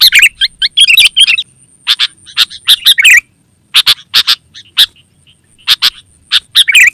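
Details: Lure and master call of a sooty-headed bulbul: a burst of bubbly warbling notes, then spaced sharp chirps after a short pause, and more gurgling phrases near the end, over a faint steady high whine.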